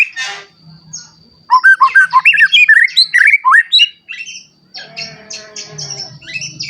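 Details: White-rumped shama song used as a trigger for other shamas: a short buzz, then a burst of varied rapid whistles and twitters, followed by softer buzzy notes and a low hum.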